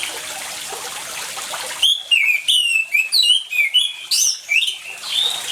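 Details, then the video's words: Orange-headed thrush singing vigorously, recorded with water sounds as a lure to prompt silent thrushes to sing; steady rushing water for two seconds, then a burst of loud, varied whistled and warbled phrases, about ten rising and falling notes in quick succession. "ANIS MERAH GACOR DENGAN SUARA AIR, PANCINGAN ANIS MERAH MACET CEPAT BUNYI"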